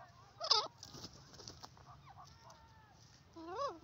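A francolin gives a loud harsh, rasping burst, then a few softer notes. Near the end come nasal, rising-and-falling notes, with faint background noise throughout.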